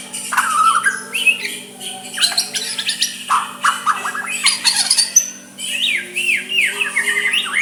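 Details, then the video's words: White-rumped shama singing softly to provoke a rival's answer: dense chattering and clicking bursts followed by a series of arched, repeated whistled notes, over a faint steady hum. "Murai batu suara lembut cocok untuk MEMEKAT lawan ikut emosi dan saling balas"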